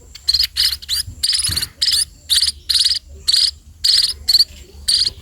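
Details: While being fed, sparrows call with rasping, high-pitched begging chirps, some drawn out, some clipped, in irregular groups about once a second.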